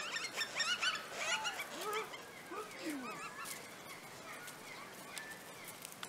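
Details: Several bush stone-curlews at Adder Rock give overlapping wailing, slurred whistles that rise and fall, loudest early and then fading, over a hiss of background noise.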